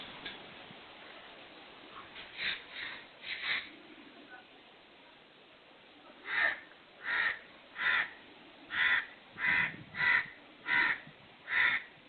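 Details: Kala teeter or black francolin, whose call is said to be "subkhan teri qutrat": a steady series of hoarse, harmonic notes repeated about every three quarters of a second over a hissing background.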